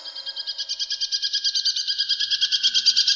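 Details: Caged brown shrike, a songbird kept as a tutor for other birds and noted for mimicking other species, gives a fast, even chattering trill of high buzzy notes, about three per second, steady throughout.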